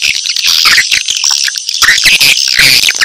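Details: Swiftlet calls played to draw in swiftlets: rapid, crowded, high-pitched chirping and twittering with short rising notes, all over a constant thin whistle-like tone.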